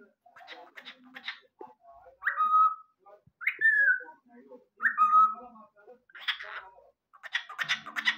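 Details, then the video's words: A cockatiel mimics speech very clearly in short, scratchy, word-like bursts, broken by three clear whistles that slide downward, each about a second long. "En net konuşan kuş"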